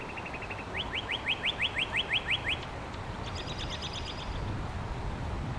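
Northern cardinal song: a brief quick stutter, then about ten loud, clear slurred whistles in steady succession. A fainter, higher series from another bird follows over a low rumble.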